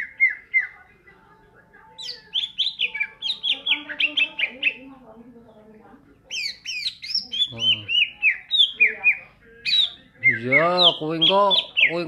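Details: Greater green leafbird in ngentrok singing style: rapid series of sharp descending whistled notes in quick bursts, then a varied chattering passage, ending with rich harmonic warbled notes; faint low voices in the background.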